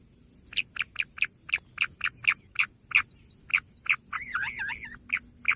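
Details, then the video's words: Bush quail calling: a run of short, bright, clipped notes repeated about three times a second, with a brief warbling flourish near the end, over a faint low background hiss. "bush quail sound"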